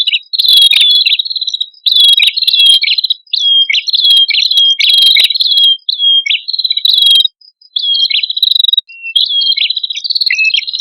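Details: Prinias, male and female, singing energetically as lure sound for birds: repeated phrases of high, slurred whistles and buzzy chirps, each about a second long, with faint, very high hissing notes in between.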